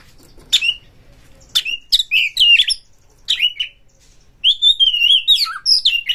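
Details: White-rumped shama, caged, from Indonesia, singing to trigger other birds to sing: sharp high chips and upslurred whistles, then a long warbling phrase with a dipping note near the end.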